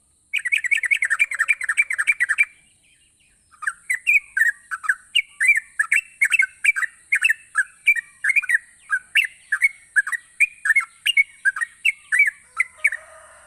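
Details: Yellow-vented bulbul in vigorous gacor singing, used to prompt lazy bulbuls to sing. A fast run of chirpy, bubbling notes breaks off, then resumes as a long series of short warbled phrases about twice a second over a steady high whine.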